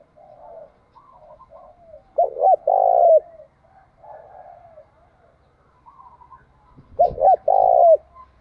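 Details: Spotted dove decoy cooing to lure wild doves: two loud phrases of a quick double note and a drawn-out coo. Softer cooing from another dove is heard throughout, with a brief knock near the end.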